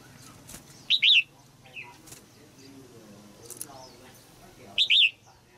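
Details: Female red-whiskered bulbul in a cage, singing to rouse an adult male. Two matching phrases of two to three clear, down-curving whistles are nearly four seconds apart, with faint rustling and soft chirps between.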